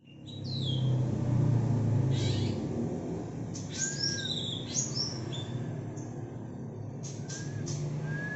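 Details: Greater green leafbird of the local Banyuwangi type from Alas Purwo, giving "bebeci" notes, a trait that is sung less with age: short, high, thin whistles sweeping downward, scattered irregularly over a steady heavy low rumble.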